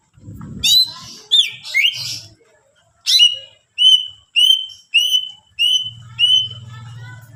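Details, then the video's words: Greater green leafbird in full varied song meant to stir other leafbirds to sing: a few sharp chattering phrases, then a row of clear, slurred whistled notes repeated about every half second, over a faint low hum. "cucak ijo gacor full isian mewah rayu c ijo lain bunyi"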